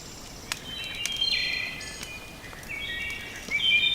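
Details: At a campsite in the woods as evening darkens, a Wood Thrush singing from up in the trees gives two fluting phrases, each ending in a higher, silvery trill, about two seconds apart. Faint outdoor noise and a few light taps are heard.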